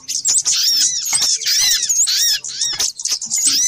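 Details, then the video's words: Little spiderhunter in an excited lure compilation, a continuous tangle of shrill, downward-curving squeaky notes and thin whistles, overlapping densely. "Suara pikat burung sogok ontong ribut kompilasi"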